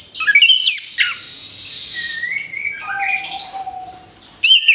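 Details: Orange-headed thrush after moulting, sung as therapy to coax it back into voice: slurred high phrases and a long rising whistle, a quieter stretch with a level tone, then a sudden loud burst.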